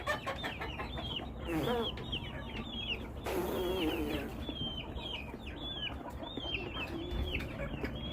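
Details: Overlapping chirps and clucks from a flock of chickens, broken by two bursts of broad rustling noise, with the chattering continuing steadily throughout.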